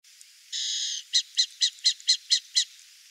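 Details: Wild burrowing owl (Athene cunicularia) in Brazil: one harsh, rasping, buzzy note lasting about half a second, then seven short raspy notes repeated roughly every quarter second, clear over a quiet background.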